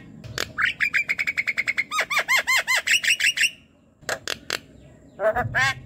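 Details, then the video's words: Javan myna at night, a fast run of short buzzy notes followed by looping arched whistles and rising chattered notes, then a brief silence and a few harsh scattered calls. "jalak kebo yang BENGONG MALAS BUNYI"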